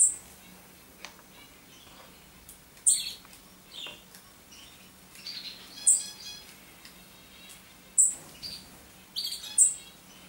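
Common chaffinch giving short, sharp, high chirps at irregular gaps of one to two seconds over a faint low hum.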